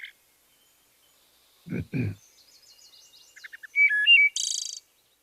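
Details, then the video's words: Wood thrush song: a few soft opening notes, a clear flutelike phrase, then a high shimmering trill within about a second, with the two sides of the syrinx singing simultaneously to create harmonics; a man's voice speaks briefly beforehand. "So, here's the sonogram of a wood thrush song."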